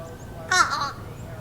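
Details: A Fish Crow perched in a tree in Massachusetts in early spring calling repeatedly: a single short, nasal, hoarse, somewhat comical 'cah', under half a second long, over a faint low background hum.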